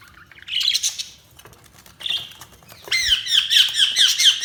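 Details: Budgerigars chattering in high, scratchy chirps, quieter at first, then a rapid run of repeated warbled notes that carries on to the end.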